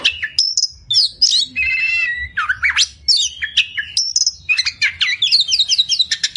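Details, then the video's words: Oriental magpie-robin (kacer), kept caged, sings a full tutoring song with 'tembakan' filler phrases: clear whistled notes, sweeping slurs, buzzy trills and rapid repeated chips, densely delivered over six seconds. "Masteran Burung Kacer Full Isian Tembakan"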